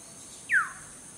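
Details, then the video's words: Black-hooded oriole perched on a tree branch in a garden, singing to attract a mate: one short, clear whistled note sliding downward, about a quarter second long, over a steady high hiss. "Black Hooded Oriole Song"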